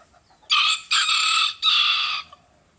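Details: Crowing of a bantam cock, three strong hoarse segments rising in a rough cock-a-doodle pattern over about two seconds, with a faint chirp before and a short click after.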